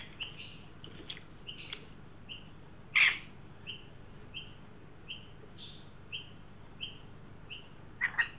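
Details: At a freshly placed birdbath in Sydney, an adult and a young Australian magpie appear on a 43-degree heat-wave day, 9 December 2023; steady series of short, reedy notes roughly every 0.7 seconds, with occasional loud rasping bursts.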